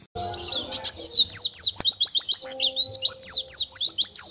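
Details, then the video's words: Oriental white-eye master song for training cage birds: continuous high, rapid twittering of sharp falling whistles and short chips, delivered in a lively, fairly regular rhythm. "MASTERAN PLECI"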